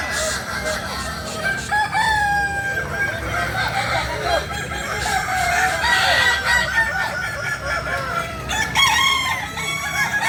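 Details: Crowing Kukuak Balenggek cocks, a chicken breed native to Solok in West Sumatra, overlap in a continuous multi-bird chorus of stepped, arching syllables, with a louder fresh crow bursting in near nine seconds.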